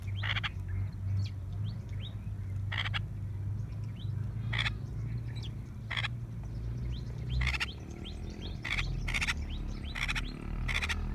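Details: Red-vented bulbuls at a village water pot in Tharparkar, drinking, give short, sharp chirps every second or two with softer twitters in between, over a steady low hum.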